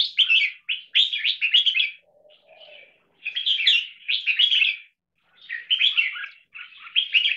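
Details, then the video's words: Caged red-whiskered bulbul trained for long singing in a double-note marathon style, linking short songs into one long song. Rapid bright warbling phrases with a soft low note midway and a pause before further bursts. "ULTIMATE 6 Double Note Marathon Singing Style Jambul"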